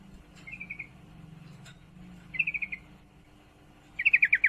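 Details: A female yellow-vented bulbul in heat calls for a male with three short rattling bursts of quick chip notes. The first two are softer and the last is loud, with a low hum underneath.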